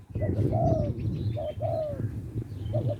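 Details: Spotted dove from Lopburi, Thailand, a small-voiced bird calling for a mate: soft, hollow cooing notes in short phrases, each ending in a drawn-out coo, with low rumbling background noise.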